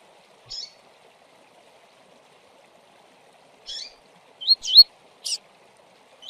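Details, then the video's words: Double-collared seedeater in tui-tui song style: a buzzy chip, a long pause, then another buzzy note, two loud rising slurred whistles, a sharp high note and the start of another rising whistle, in quiet surroundings. "Coleiro Tui Tui"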